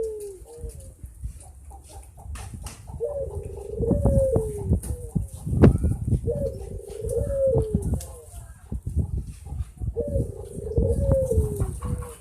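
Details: Puter dove cooing in repeated low phrases of undulating, sliding notes, three phrases roughly every three to four seconds, with clicks, thumps and low background noise.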